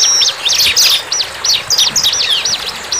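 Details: Bar-winged prinia singing in the wild, giving a series of high, arched chip notes roughly three to four per second, mixed with a few short twitters.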